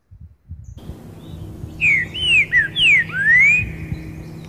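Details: Green-winged saltator (trinca-ferro boiadeiro) singing loudly in dense forest: a clear whistled phrase of about five slurred notes, some rising and some falling, over a faint low hum.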